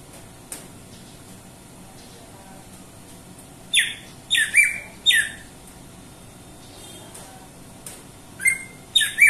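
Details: Greater green leafbird giving harsh squawking notes in a few bursts, each a sweep falling from high to about mid pitch, the calls clustered in the second half after near silence.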